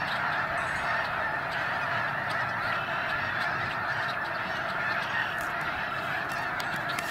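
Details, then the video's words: Constant chorus of honks from a vast flock of migrating snow geese in the Sacramento Valley, individual calls lost in the continuous din. "Migrating Snow Geese in Sacramento Valley"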